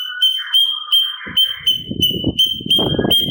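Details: Sooty-capped babbler repeating crisp whistled pips in a training recording for songbirds, the notes separated by lower burry phrases, over a background of low rumbling and handling noise.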